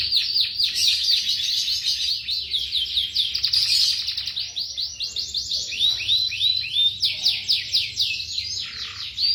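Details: Young canaries used as a song tutor recording, singing continuous rapid trills of descending high whistled notes, with rolling buzzy passages and a low hum beneath.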